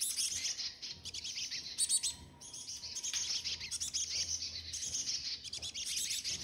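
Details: Chickadees feeding, giving a steady stream of thin, high chirps and twittering notes that overlap almost without pause, with brief louder bursts near two and five seconds.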